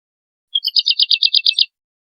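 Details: Brief, softer burst of woodlark song: about ten quick, bright, repeated notes strung into a single short trill lasting around one second, framed by silence.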